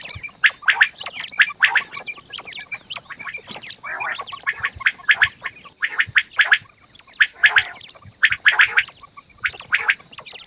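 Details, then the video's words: Several quails in the morning chatter together in bursts of harsh, buzzy notes, clustered every second or so, with brief quiet gaps between. "The sound of fat quails morning 1quail sound موٹا بٹیروں کی آواز"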